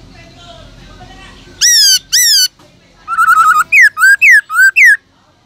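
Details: Kept black-throated laughingthrush in loud wild-style song meant to excite other caged birds to sing: two strong upswept whistles, a rapid trill of short notes, then four ringing falling-rising phrases. Faint voices or chatter precede it.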